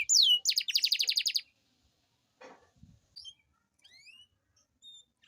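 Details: Canary lure song for lazy singers: a falling whistle and a brief dense, high buzzy trill, followed by near-silence broken only by a few soft, thin, scattered notes and a faint knock.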